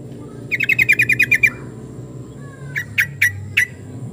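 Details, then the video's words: Yellow-vented bulbul giving a quick run of harsh, buzzy chatter notes, then four separate sharp notes at spaced intervals, with steady low rumble behind. "PANGGILAN TRUCUKAN"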